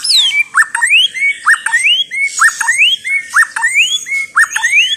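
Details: White-rumped shama of the Chao Singto line repeating one phrase about once a second: a sharp low chirp followed by a bright rising whistle, delivered over and over with a faint higher whistle behind.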